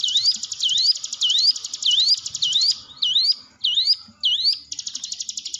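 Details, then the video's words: Hill prinia song used as a lure to train quiet birds: sharp, rising whistled upslurs about twice a second over a continuous high, buzzy trill. "ciblek gunung diam saja kurang loss mental ciut latih dengan pancingan ini"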